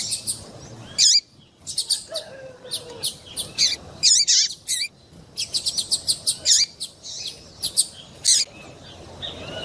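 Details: Female double-collared seedeater calling to warm up a male and spur him to sing, as used by breeders for singing tournaments; sharp, high chirps in quick bursts and pairs, with short pauses, plus a faint lower whistle.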